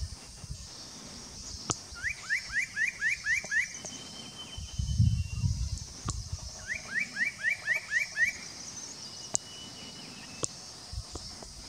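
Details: A spot-breasted parrotbill at Doi Lang, Fang, Thailand, on 25 March 2017 gives two quick bursts of about seven sharp, upslurred notes, a few seconds apart, over a steady high insect hiss and low rumble.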